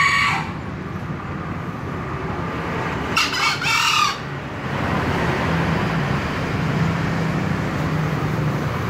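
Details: Tail of one crow at the very start, then a full harsh, broken crow of about a second from a green junglefowl midway, over a low droning background.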